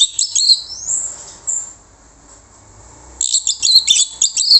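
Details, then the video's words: Orange-headed thrush song used as a lure to make other birds answer: bursts of rapid, high, squeaky twittering phrases and a thin whistle, then a pause of about two seconds before another dense chattering burst. "PANCINGAN ANIS MERAH MANTAP YANG LAIN LANGSUNG NYAUT"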